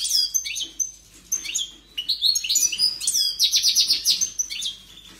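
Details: Goldfinch singing with great force, a strong bird: rapid, jangling twittered phrases of bright tinkling notes and buzzy trills, pausing briefly between bursts.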